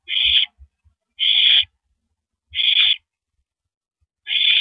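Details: Nesting owl on an April 2012 evening as the male hands a rabbit to his mate; four breathy, rasping screeches about every one and a quarter seconds, with small knocking sounds underneath.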